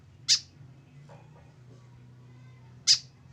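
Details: Tame white-breasted woodswallow (kekep babi) kept alone without a companion, giving two short, sharp, high chirps about two and a half seconds apart over a quiet low room hum.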